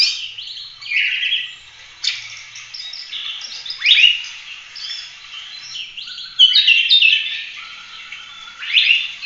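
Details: Oriental magpie-robin in full, non-stop song used as a tutor recording for training other birds: loud, varied high phrases of clear whistles, quick chattering trills and sharp upward sweeps, changing every second or two, with no other sounds.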